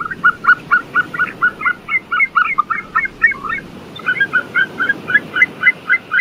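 A White-tailed eagle gives a fast run of yelping, slightly quavering notes, about four per second, pausing briefly before resuming, over a steady low rumble of wind or water.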